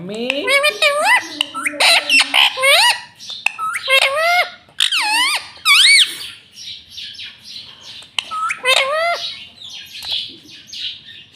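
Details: A pet green rose-ringed parakeet chatters in shrill, speech-like bursts, imitating words such as "mummy papa" between harsh squawks, a phrase every few seconds.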